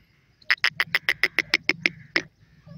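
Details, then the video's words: Partridge, called Irani or dakhni teetar, giving a loud series of about ten sharp, evenly spaced notes in roughly two seconds, each a harsh clipped burst, followed by one final note. "irani teetar birds hot voice,partridge birds songs"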